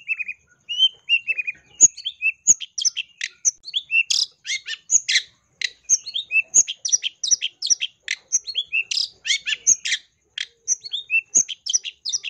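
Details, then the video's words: Long-tailed shrike in vigorous song, full of mimicked fill-ins, recorded in 2022 to provoke other shrikes: a long, unbroken run of varied high chips, whistles and buzzy notes, rapid and jumbled, briefly pausing near the end. "PANCINGAN SUARA CENDET GACOR FULL ISIAN"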